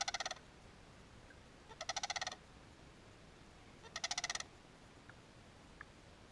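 Sarus crane giving three loud, rattling trumpet bursts of rapid notes about two seconds apart, with a few faint clicks against a quiet hiss.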